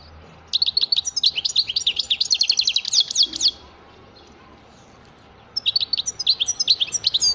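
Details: Lively goldfinch song of quick liquid twitters and sharp chirps tumbling together for about three seconds, a brief quiet gap, then another burst of bright twittering notes.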